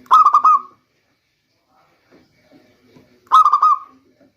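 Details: Local zebra dove song used as a lure during the rainy season: two bursts of rapid, stuttering, mellow cooing notes about three seconds apart, with near silence between them.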